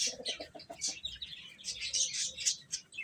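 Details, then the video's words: Baby chickens eating and playing, producing dense rapid high-pitched peeping and chirping, several short notes per second, with soft pecking and scratching noises mixed in. "Baby Hen Chirping Sounds"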